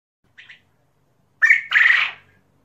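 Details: A Ukrainian fighting-type common quail, kept in captivity: a soft, brief high note, then two loud, harsh, rasping calls in quick succession, the last drawn out for about half a second.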